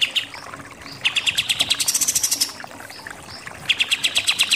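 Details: Pied triller song in the super nembak-nembak style, used as a training recording for contest birds: three bursts of sharp, rapid, evenly repeated chipping notes, the middle burst longest, with faint higher chirps between bursts.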